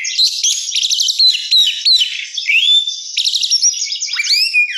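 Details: Oriental magpie-robin delivering 'gacor isian mewah' singing, a richly filled song: fast repeated trills, clear sliding whistles and scratchy notes running without a break, ending in a descending swoop.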